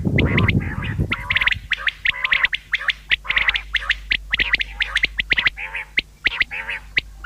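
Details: Common quail calls for hunting: a low rumbling thud opens, then a steady stream of sharp, clicking notes follows, many overlapping in quick succession.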